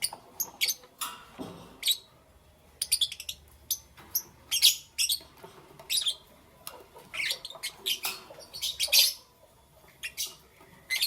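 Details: Morning chirping from lovebirds: short, sharp, high chirps and squeaks scattered irregularly through the stretch, some in quick clusters, with brief silences between them.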